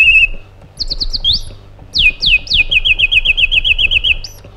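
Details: Iraqi bulbul giving a brief trill, quick high chirps and rising slurs, then loud downward sweeps that lead into a fast run of repeated rolled notes, over a faint hum.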